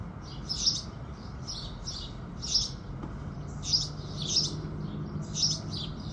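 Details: Morning chorus of house sparrows as the sun rises: irregular clusters of high chirps, a brief pause near three seconds, then more chirping, over low steady noise.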